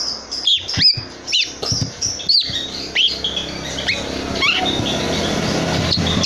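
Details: Three-month-old young long-tailed shrike, very unruly, still calling after its tail was plucked: harsh, scratchy notes with quick downward-curving squeaks, spaced roughly every half second, fading into steady background hiss.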